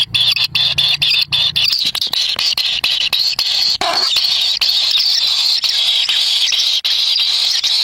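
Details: Kingfisher chicks in the wild beg at the nest as a parent brings a black lizard, the young scrambling for the food; a dense, continuous high-pitched squealing chorus with rapid harsh pulses throughout.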